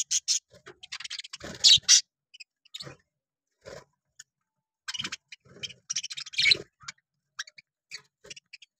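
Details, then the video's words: Budgerigars, called Australian parrots: scratchy, clicking chatter in short irregular bursts, with brief gaps between them. "Australian Parrot Lovebirds Voice"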